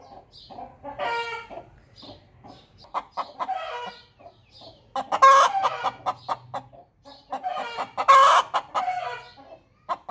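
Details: After laying an egg, a hen clucks repeatedly, building to two loud, harsh squawking bursts between stretches of softer clucking.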